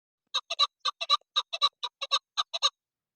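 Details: Female chukar partridge calling, a run of harsh clucking notes grouped in pairs and threes, about two per second, steady and clean with no other sounds.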